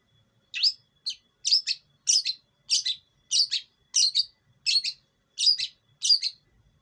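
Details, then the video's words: Long-tailed shrike of East Java, hand-raised from young, giving a lure call for bird training: a clean, steady series of about ten sharp, scratchy chirps, some split into double notes, over near silence. "pancingan burung pentet"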